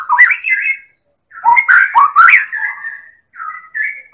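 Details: White-rumped shama, Medan variety, used as a lure to spark singing in other birds: loud rising whistles, then a dense cluster of sharp clicks and slurred notes, ending with softer whistled phrases.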